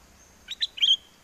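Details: Caged red-whiskered bulbul from Chana, Songkhla, Thailand, singing a wild-style song to call a mate during a windy spell in the south: one quick phrase of two sharp chirps and then a slurred, bright whistle over a quiet background.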